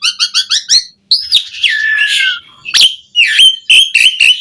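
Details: Lively Asian pied starling song full of varied 'isian' phrases, used as training material to make caged starlings sing: five quick clipped notes, a pause, long descending whistles over a buzzy wash, then sharp chirps and short whistled notes.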